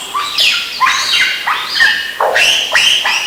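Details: A lyrebird, as part of its continuous mimicry playlist, gives a run of harsh, barking squawks, five or six in quick succession, each with a loud rising then falling sweep, with no whistles or other sounds.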